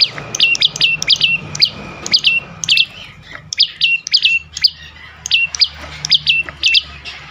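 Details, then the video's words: Prinia song meant to tempt other birds to call: steady, rapid, high-pitched chirps with downward-flicking tails, often in pairs, over a constant low hum. "full Dorrr prenjak lumut lain makin tergoda berbunyi sangat ampuh untuk pancingan burung bisu"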